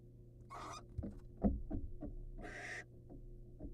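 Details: Barn owl pair filmed wild on a birdcam as the male hands prey to his mate. Two raspy hissing screeches stand out among soft scratching and tapping clicks, over a low steady hum.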